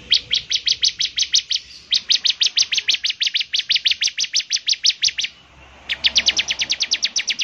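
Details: {'caption': 'Bar-winged prinia singing energetically, its characteristic song prompting fellow prinias to join in; long, steady runs of loud, sharp, high chips, about three per second, broken by a short pause.'}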